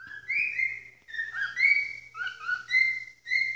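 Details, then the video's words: Captive cockatiel calling loudly. Shrill whistled notes with a rising then falling sweep are repeated nearly every second without a break. "Calopsita joaminha gritando essa Hora"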